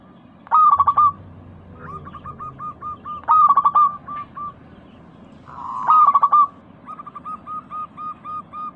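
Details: Lure recording of a local zebra dove (perkutut) for coaxing a quiet caged bird to sing. Three rapid rattling coo bursts, each followed by a steady string of short clipped notes. A low droning background runs throughout.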